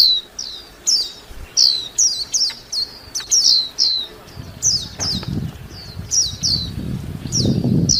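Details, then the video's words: A white-eye repeats clear, high, downward-slurred chirps, often doubled. Low rustling or wind noise rises in the second half. "tiếng chim vành khuyên hót líu lo"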